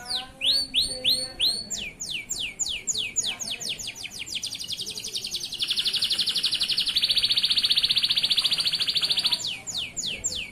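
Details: Male local canary song meant for tutoring young canaries: rapid repeated down-slurred whistles, then a long buzzy rolling trill held several seconds before whistled notes return.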